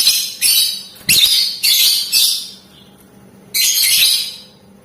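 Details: Lovebird with ngetik ngekek chatter, singing vigorously to prompt rival lovebirds to reply: a rapid run of five harsh, buzzy screeches in quick succession, a short silence, then one more drawn-out rasping shriek.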